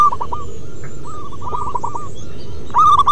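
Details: Local wild zebra doves singing in the long 'manggung' style: fast stuttering runs of short, hooked cooing notes, with a louder bird joining at the end and a steady low hum underneath.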